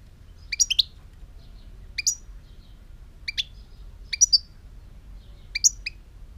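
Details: Short phrases of two or three high, tinkling chirps from a European goldfinch, recorded in 2018, repeated about every second to second and a half across several seconds; quiet background.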